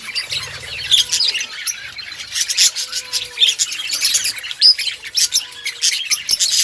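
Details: Budgerigars in an outdoor breeding colony, many birds chirping at once: a dense, continuous chatter of high, scratchy warbles and short squawks, with brief clicks and no other clear sounds.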